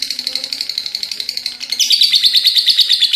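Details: High-pitched ngekek chatter from a lovebird: rapid clipped notes in a steady run, then a shift to brighter, more ringing, sharper pulses in the second half.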